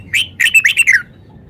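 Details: Red-whiskered bulbul showing off its song repertoire: a short, clear phrase of five or six quick liquid whistled notes, rising then falling, lasting about a second.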